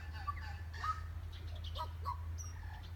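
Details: A tui at Rainbow Falls, Kerikeri, New Zealand gives short, scattered, liquid notes and a thin high whistle in call and response with another tui answering faintly in the distance, over a steady low rumble.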